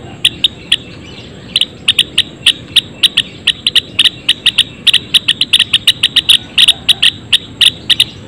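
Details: Java sparrows in a colony cage giving sharp, bell-like chips and clicks, several birds overlapping at about three notes a second, with a faint background hiss.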